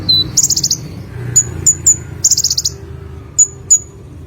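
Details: Lively olive-backed sunbird (konin) song: a thin whistle, a brief high buzzy trill, a series of sharp chips, another trill, then two more chips, against a quiet low hum.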